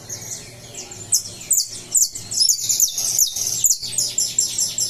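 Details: A saffron finch just out of moult sings on 20 July, a rapid string of piercing high notes and descending slurs, loudest in the middle, with faint low humming throughout.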